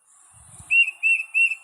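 A Tufted Titmouse sings three clear, slightly slurred whistled notes in quick succession, about three per second, over a faint high hiss.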